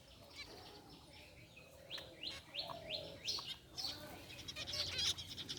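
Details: Group of caged zebra finches in an aviary, white and gray varieties including a rare white one, relaxing: quick downward-sweeping chirps in a loose series, with scattered sharper high notes later and a faint background hum.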